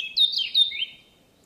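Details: Wild Eurasian blackcap giving a short whistled phrase: two or three clear, fluty notes sliding between high and mid pitch, fading out within a second over a quiet background.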